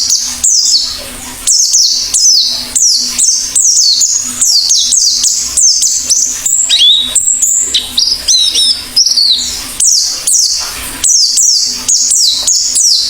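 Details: Oriental white-eye in full active song: a long, rapid series of high falling chirps and twittering notes, several per second, with a brief warbled passage midway and a steady low hum.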